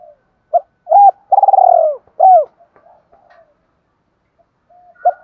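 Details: Spotted dove challenge cooing meant to rouse a decoy bird to fight: a short note, a double hoot, a long trilled coo and a falling note, then near silence with faint soft calls before another coo begins.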